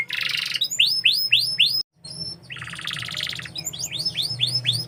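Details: Canary song in quick tours: a harsh buzzy trill, a series of loud repeated downslurred whistles, a brief pause, then a rolling rattle and more repeated sweeping notes, with a faint low hum beneath.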